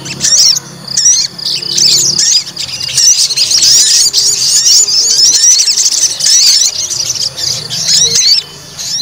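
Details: White-rumped shama aroused to fight: sustained high, fast twittering song with whistled upslurs, broken by a brief quiet gap early on and another near the end.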